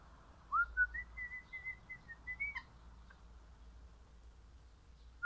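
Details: Crimson rosella, a happy pet parrot of the Pennant orange colour form, singing a series of clear whistled notes that step upward and hold level, about nine notes in two seconds, then a lone whistle after a quiet pause.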